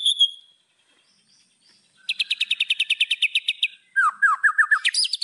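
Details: White-rumped shama song for provoking rivals: a brief high whistle, a pause, then a fast even series of sharp repeated notes, followed by lower rising chirps and high bright notes.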